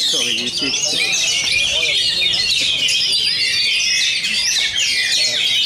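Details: Oriental magpie-robin (kacer) at a bird-singing competition in Bogor, Indonesia, a renowned champion delivering loud, driving song; continuous high whistles, slurs and chatter over murmured human speech.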